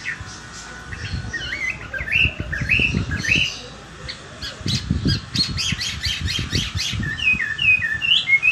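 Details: Chinese hwamei after bathing, competition-quality song heard more softly: scattered rising whistled notes, a burst of rapid sharp chips, then repeated upslurred whistles, with low rumbling noise underneath.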